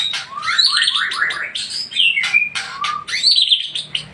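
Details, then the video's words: Aceh Tangse white-rumped shama delivering fast, fluty whistled phrases that sweep up and down, mixed with short harsh chattering notes in a continuous flowing song. "murai batu aceh tangse"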